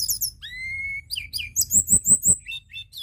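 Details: White-browed shortwing, local name tledekan gunung, singing as a lure: a steady level whistle followed by quick high chirps over a run of soft rhythmic thumps.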